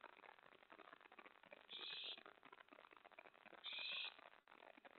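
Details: Nocturnal owl nest scene, 1 AM on May 24, 2017, during prey delivery to an owlet. Two coarse, wheezy hisses, each about half a second, come two seconds apart over busy rustling and scraping noise.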